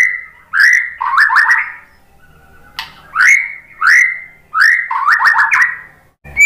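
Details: Lure song of the white-rumped shama meant to make other birds respond: clear whistled phrases of a rising note followed by quick stuttering notes, the same phrase repeated twice with a pause between.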